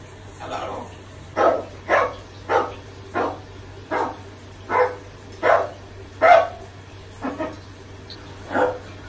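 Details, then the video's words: Pet macaw mimicking a dog barking, picked up from park dogs and performed during a shower; a run of about a dozen hoarse, woofing barks, roughly one every 0.7 seconds, over a constant low hum. "Parrot Barking Like A Dog"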